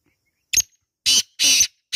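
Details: A wild black francolin calling in a natural setting gives a loud, harsh, grating phrase of four rasping notes: a short clipped note, then longer scratchy ones in quick succession, with no other sounds.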